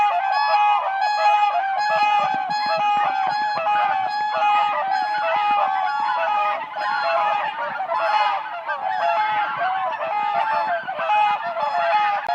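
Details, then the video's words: Whooper swans dancing on ice in spring: a steady, loud chorus of trumpeting honks from several birds calling together, dense and unbroken for the whole stretch. "WHOOPER SWAN birds dancing on ice"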